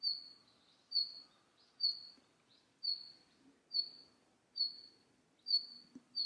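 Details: Red-flanked bluetail repeating a single sharp, high whistled note roughly every 0.8 seconds, eight times in a steady series over a quiet background.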